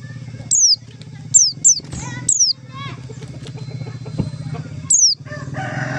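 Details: White-eye calls used as a trapping lure: several single and paired high, downslurred whistles over a steady low engine-like drone, with scattered chirps and twitters from other birds.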